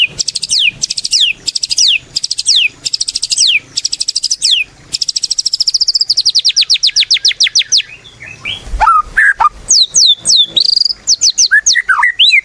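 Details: White-rumped shama singing actively (gacor) as a lure for other shamas: rapid repeated high downslurred notes in tight bursts, a long even trill, then varied whistles and sharp upswept calls.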